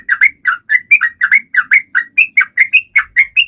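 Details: Sooty-headed bulbul in full song meant to get other birds singing: bright paired whistles, some rising and some falling, repeated several times a second.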